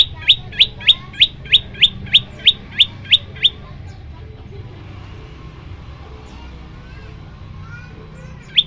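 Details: An Olive-backed tailorbird gives its 'shot' song variation: a rapid burst of about eleven sharp, explosive notes, roughly three a second, then a pause and one last note over a low hum.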